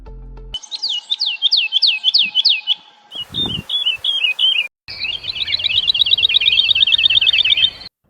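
Woodlark song: about eight clear, fluty, descending notes repeated quickly. Shorter slurred phrases follow, then a fast, liquid trill lasting about three seconds.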